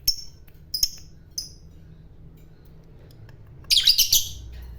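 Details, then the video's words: Lovebird giving three thin, short high chirps spaced about half a second apart, then after a pause a brief, dense burst of harsh, buzzy chatter. "SUARANYA Sukses Bikin Lovebird Lawan Ikut Bunyi Ngekek,Burung Lovebird Gacor ngekek Panjang"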